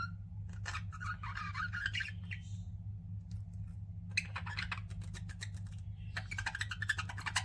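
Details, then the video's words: Pet budgies with soft chattering warbles and scratchy clicking bursts, a pause midway, then busier rattling chatter over a persistent low hum. "CUTE PET BUDGIES CHIRPING"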